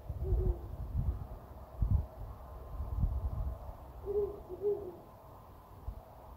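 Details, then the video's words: An owl in a forest near a house, recorded on a smartphone, gives short, hoarse barking hoots, one early and a close pair near the end, over a low rumble of background noise. "フクロウの鳴き声 / Owl barks"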